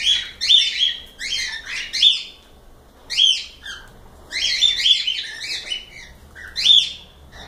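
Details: Cockatiels in a live stream, giving repeated harsh, rasping chirps with strong upper harmonics, bursts roughly every half second to second, some overlapping as several birds call together; quiet low hum in the background.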